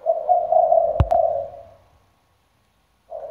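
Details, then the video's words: Spotted dove used as a decoy, with a deep 'thunder-bronze' voice and full repertoire; a steady, husky coo phrase broken by a sharp click, fading out, then a fresh coo starting after a silent gap. "cu gáy giọng sấm đồng, đủ bài bản (gáy, gù suốt ngày đêm)"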